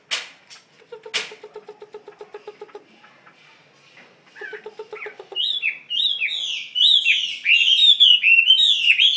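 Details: Caged Chinese hwamei: sharp clicks and a low, evenly pulsed chattering series come first, then loud, rapid whistled phrases sweeping up and down.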